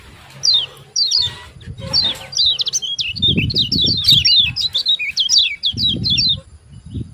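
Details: Yellow white-eye "ciak ciak" calling, played to coax lazy caged birds into song: scattered thin falling chirps at first, then a steady flurry of rapid high chips over intermittent low fluttering sounds.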